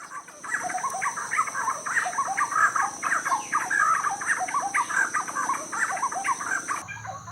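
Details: Giant wrens (Campylorhynchus chiapensis), a territorial pair preparing to breed (nesting in banana bag covers) in banana plantations with flowering Palo Blanco trees, Pacific lowlands of Guatemala, no rain: continuous stream of rich, chattering, mid-pitched song phrases over a steady high insect whine.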